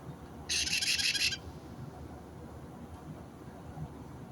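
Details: White-bellied caique parrot, recorded 29 March 2022: one harsh, shrill screech of just under a second, broken into rapid buzzy pulses, over low background hum.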